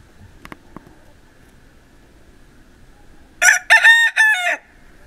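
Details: Pavlovskaya rooster, Barnaul, Siberian Altai, November 28, 2015, in winter: a few faint clicks, a long quiet gap, then a loud three-part crow lasting about one second.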